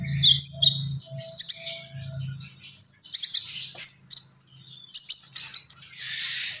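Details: Gacor singing from a common iora: clusters of high sharp chips and short whistles separated by brief pauses, then a hissing, buzzy phrase at the end over a low background hum.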